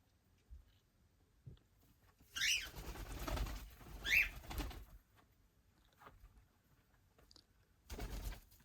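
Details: Cockatiels in the morning give two sharp, rising whistled calls amid bursts of flapping wings.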